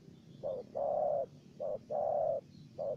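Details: Spotted doves, a wild bird and a decoy bird, in a calling duel: low, mellow coos in short-long pairs, a brief note followed by a drawn-out one, repeated twice and then begun again over a faint steady hum.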